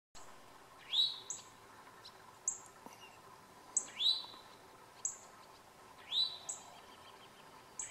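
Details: Towhee calling: a bright rising-then-falling whistled note with a short high lead-in, given about every two to three seconds over steady low background hum.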